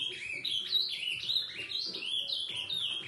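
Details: An Ultramarine Grosbeak sings after 11 at night, a rich, continuous warble of sweeping, slurred whistles rising and falling through a high pitch range.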